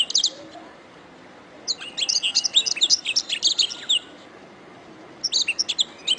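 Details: Canary song for training songbirds: a brief burst of high chirps, then after a pause a two-second run of sharp, varied twittering notes, and another short burst near the end.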